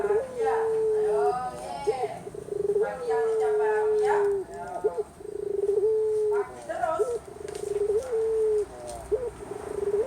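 A Barbary dove gives long, low, steady coos, each drawn out for a second or more with a rough rolling start, repeated about every two seconds.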